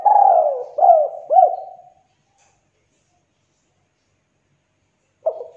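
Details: Spotted dove coo ending in two short hooked notes, then silence before a new phrase starts. Used as a lure so that lazy, quiet doves start calling.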